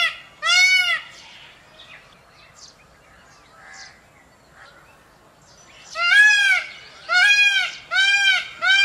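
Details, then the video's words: Peacock calls: two loud, arched, nasal wails open the recording, then a long quiet stretch with only faint scattered sounds, before a run of five more ringing calls about once a second. "Peafowl bird peacock calls noise & sound"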